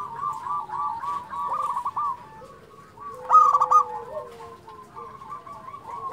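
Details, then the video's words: Local zebra dove (perkutut lokal) singing actively; one loud, bright trilled phrase of quick stuttering notes near the middle, with softer rolling cooing trills from other doves before and after. "SUARA perkutut lokal gacor"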